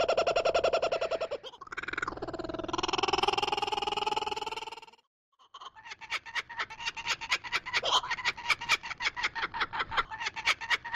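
A kookaburra's laugh: harsh, rich chuckles rising into a wavering cackle, a brief pause, then a fast run of rhythmic 'ha-ha' notes about four a second.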